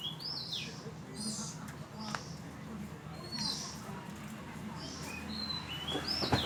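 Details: In Falami subdistrict, Phatthalung, Thailand, an oriental magpie-robin gives scattered bright whistles and slurred notes, each phrase separated by short pauses. A steady low rumble runs underneath, with a few clicks near the end.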